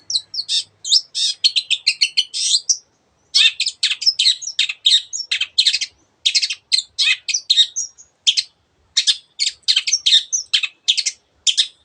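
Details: Energetic Long-tailed shrike singing a long stream of borrowed bird sounds, crowded scratchy chirps and twittering bursts in rapid clusters, broken by a brief pause, with no other sounds.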